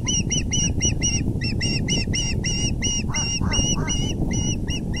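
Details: Osprey nest at 6:30 pm EDT on April 6, 2020, male arriving with a big fish: quick, ringing chirps repeated steadily, with a few lower, rounder notes near the middle, over low background noise.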